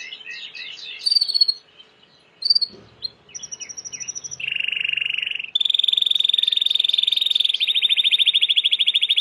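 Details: Song of a Timbrado canary for training: a few chirps and loud accents, then a soft pulsing roll, a low buzzy roll, and a long bright rapid trill carrying to the end.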